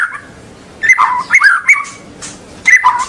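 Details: White-rumped shama in full song, meant to prompt juvenile birds to sing and chatter long: short bursts of loud, rolling, fluty whistles that swoop up and down, separated by brief pauses.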